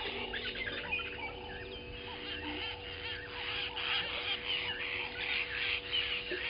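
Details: Dense, continuous swizzling chatter from newly arrived Southern masked weavers at a Sabi Sand Wildtuin waterhole in South Africa, recorded by a live camera at 07:30 on 12/06/20, with an even mechanical hum beneath.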